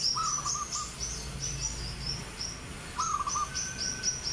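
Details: White-feathered, red-eyed albino sooty-headed bulbul, called a rare bird, utters two brief rolling warbled phrases, separated by a busy stream of high sharp repeated chirps, with faint low rumble underneath.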